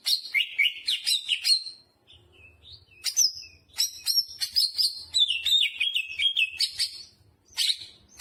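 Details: A greater green leafbird in vigorous, continuous song packed with jamtrok phrases, bright slurred whistles and quick chips tumbling up and down, with a faint low hum underneath.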